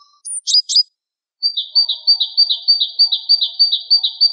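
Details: Java sparrow of the Wingko variety in a song-training recording: a few loud two-part chirps, a pause, then a long run of quick, buzzy high chirps, about three per second, with soft lower notes underneath.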